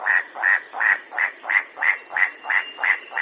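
White-striped Forest Rail giving a steady run of harsh clacking notes, about three per second, nine in all, with a faint high insect hum behind.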